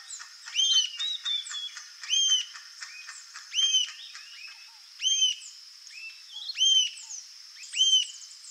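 Rufous-tailed Jacamar giving high, sharp, arched whistled notes in bursts about every second and a half, with a steady insect hiss behind.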